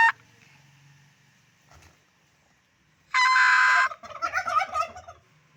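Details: After a quiet stretch, a turkey lets out one strong, sustained harmonic note and then a quick, broken, gurgling gobble, with faint low rumbling in the background.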